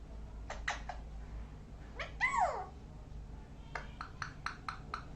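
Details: Parrot voicing a few clicks, then a strong harmonic squawk arching up and sliding down, followed by a rapid series of dry tapping clicks, low hum throughout.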